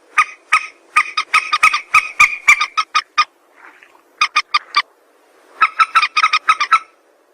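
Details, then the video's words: A dense chatter of harsh repeated notes from a white-breasted waterhen, used as a trapping lure, gives way to a faint low murmur and then to renewed rhythmic runs of croaks. "suara mandar sawah"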